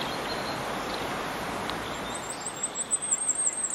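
A firecrest sings a very high, thin run of rapid notes that grows louder toward the end, over a steady roar of distant traffic.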